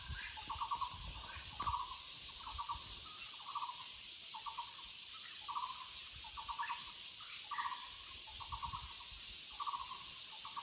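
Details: Woodland Muller's barbet calling steadily: about ten bursts of fast, evenly pulsed, low hollow notes, roughly one per second, with a continuous high insect drone in the background.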